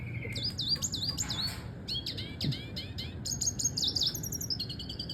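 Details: Red siskin of double dilute colour on a training tutor recording: varied high twittering song with looping whistled notes, short buzzy phrases and rapid chirps, low hum underneath.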